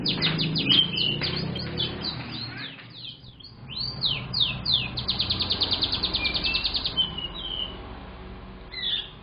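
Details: Young canary singing: an opening of high whistles and chirps over a noisy low rumble, a brief pause, then swooping slurs and a long, even rattling trill of rapid repeated notes.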